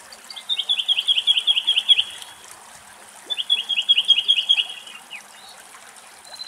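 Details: Two song thrushes come to drink water and squabble until the more aggressive one chases the other off; a song thrush gives two bright, high phrases of quickly repeated notes, each about two seconds long, over a faint trickle of water.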